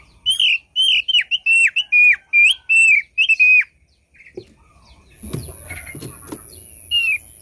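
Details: Thick-billed white-eye used as a bird lure: about ten quick, bright whistled notes with downward flicks in a fast run, then quiet, then clattering knocks and a steady high tone before one more whistle.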